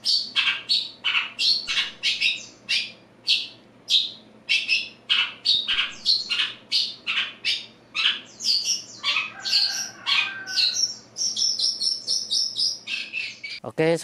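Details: A seven-month-old captive Long-tailed Shrike (cendet trotol) from Madura, just bathed, starts arranging its song: a halting, still-slurred practice song of short harsh chirps and scratchy squawks with higher jumbled phrases, over faint room hum.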